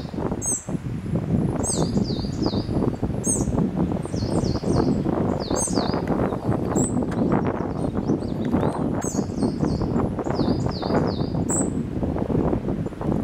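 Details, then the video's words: At Hardcastle Crags, a spotted flycatcher sings thin, high, squeaky notes in small clusters every second or two, over a steady loud rush of water or wind. "Spotted Flycatcher Singing"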